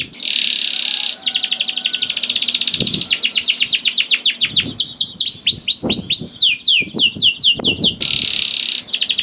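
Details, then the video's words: Canary singing hard, played so that canaries reluctant to sing will start: a dense buzzy high tone, then rapid trills shifting into looping downward swoops and back into a buzzing roll. Occasional low thuds are heard. "KENARI GACOR DOR INI MEMANCING KENARI YANG SUSAH BUNYI JADI IKUT GACOR"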